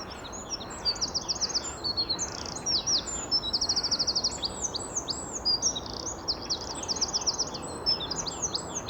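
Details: Great tit song, a "teacher teacher" phrase of quick, high two-note units in rhythmic runs, one bird close overhead and another answering from farther off in garden woodland amid other small birds' chirps.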